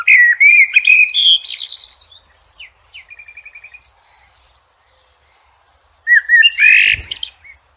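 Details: Blackbird singing in nature: a fluty, warbled phrase with high twittering, a run of rapid quiet repeated notes, then another mellow whistled phrase and a brief low thump.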